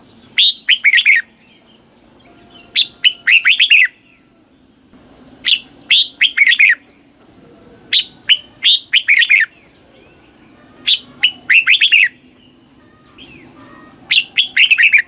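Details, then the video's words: Repeated song phrases from a red-whiskered bulbul in the southern master style, for stimulating caged birds: six bursts of quick, bubbling whistled notes arriving roughly every two and a half seconds. "เสียงนกกรงหัวจุก ร้อง ริก เปิดให้นกฟัง ยั่วให้นกคึกจัด"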